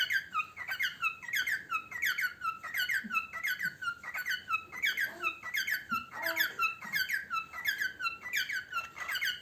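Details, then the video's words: Pet parrot singing while eating indoors: a steady run of bright warbled whistles with rising and falling tonal phrases, repeated roughly every second, in a small room with faint low background sounds. "Chu singing while eating"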